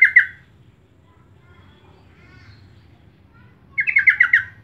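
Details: Sooty-headed bulbul lure call to attract birds, a short chattering fragment at the start and a fuller burst of six rapid notes near the end, with faint soft calls in between.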